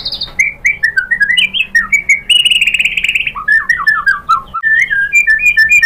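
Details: White-rumped shama song, used as a lure to get other shamas singing: a long, varied run of slurred whistles and warbles with a high buzzy trill in the middle, then fast descending note strings.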